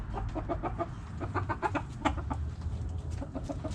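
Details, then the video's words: Backyard hens giving rapid, evenly spaced short clucks, several birds overlapping, over a strong low rumble of background noise. "Backyard Chickens Relaxing Video Sounds Noises Hens Clucking Roosters Crowing!"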